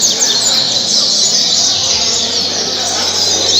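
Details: Double-collared seedeater singing the caribe song style at Parque Mambucaba, Angra dos Reis, Brazil: a continuous high, buzzy, chattering stream with faint upward sweeps, over steady background hiss.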